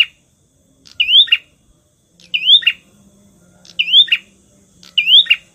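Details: Bar-winged prinia in the 'prenjak tamu' style for luring rivals: four loud rising whistles, each ending in a short buzz, spaced about 1.3 seconds apart. Faint steady drone underneath.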